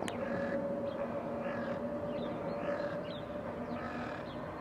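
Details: Crows in a blue sky in 2022, giving harsh, hoarse caws repeated roughly every second over a constant rumbling background noise.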